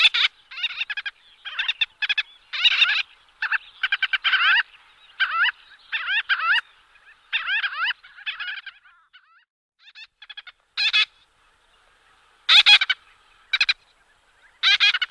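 Gull-billed Tern giving harsh, nasal, rasping calls in quick chattering bursts, many notes per second with short pauses between runs.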